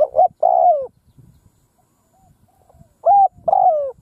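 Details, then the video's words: Spotted dove decoy calling across a field to lure wild birds. A coo phrase ends, then comes a quiet pause with faint low knocks, and a second phrase follows: short hoots and a long downward-gliding note. "Tiếng cu mồi đất gù gáy vang dội cánh đồng / Cu mồi đất gù phóng - Gáy chiêu Bổi giữa cánh đồng"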